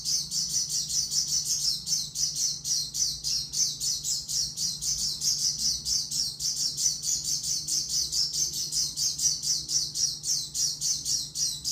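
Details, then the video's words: Oriental white-eye in full OB-style song: a long, unbroken stream of very high, fast twittering notes, rapidly repeated and slightly buzzy, with steady rhythm throughout and only a soft low hum behind. "pleci suara OB"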